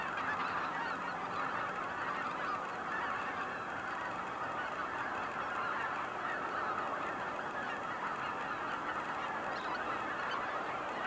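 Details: Cackling geese at Kejonuma keep up a constant, crowded chorus of high yapping honks, layered and continuous throughout, with faint low hum in the background.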